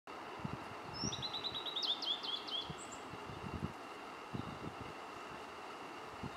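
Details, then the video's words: Blue-and-white flycatcher singing on Mt. Rokko-san in Kobe, Japan: a short run of high, quick descending whistled notes near the middle, over steady low rumble and light rustling. "Blue-and-white flycatcher tweeting in Kobe"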